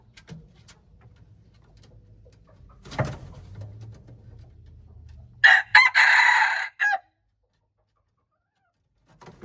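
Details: Red junglefowl recorded March 2, 2025: a hoarse, harsh crow broken into short segments, the last one drawn out, near the middle, preceded by low rumbling background noise and a dull thump.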